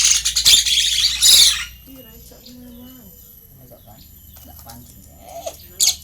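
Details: Tame pet Asian pied starling, a mimic able to say many human words, giving loud, harsh, noisy bursts in the first second and a half, then near silence with faint low tones, and one more short rasping burst at the end.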